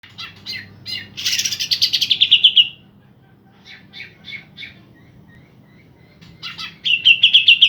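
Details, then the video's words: A pair of green leafbirds in full song, used to stir up birds that have gone quiet. Bright chirps, then a dense buzzy burst and a rapid descending trill, more chirps, and another fast trill at the end. "ijo sepasang gacor buat mancing emosi burung drop"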